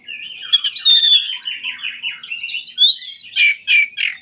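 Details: Oriental magpie-robin song to encourage lazy birds: dense warbled chatter with clear sweeping whistles and loud pulsed phrases near the end.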